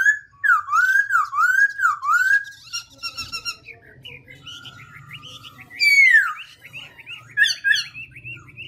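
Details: Black-throated laughingthrush in continuous voice-switching song: three loud repeated swooping whistles, then chattering notes, a long buzzy phrase and a bright descending whistle followed by quick chirps, all above a low background hum.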